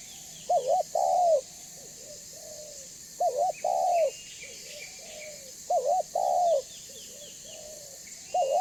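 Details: Spotted dove used as a lure to make other doves answer and approach, cooing in steady phrases every couple of seconds: a quick wavering note followed by a drawn-out falling coo, with quieter coos and high chirping birds behind.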